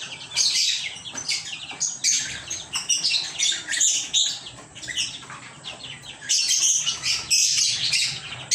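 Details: A group of pet lovebirds chattering in uneven bursts of shrill, raspy chirps, with short lulls between louder flurries.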